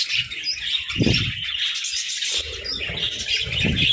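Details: Budgerigars eating grass and moringa, chattering in quick high chirps and warbles, with repeated low crunching bursts as they feed.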